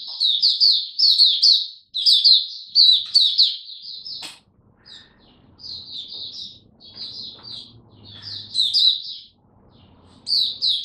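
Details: Hobby-kept Oriental white-eye performing its 'Buka Sing Raja' song display, 26 November 2022; loud high twittering bursts, then quieter scattered chirps over a low rumble before strong phrases resume.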